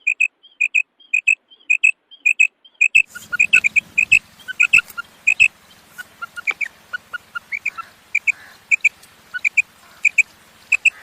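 A female common quail gives soft, high paired notes, repeated about every half second, over a low steady hum.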